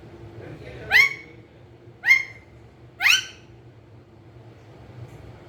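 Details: Three loud, grating screeches from a green ringneck parrot kept as a pet, about one a second, each briefly sliding upward, then silence indoors.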